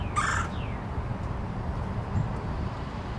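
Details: Male red-bellied woodpecker calling while deepening its nest in an old tree: one short, harsh, rasping note near the start, followed by quiet; steady low rumbling background noise throughout.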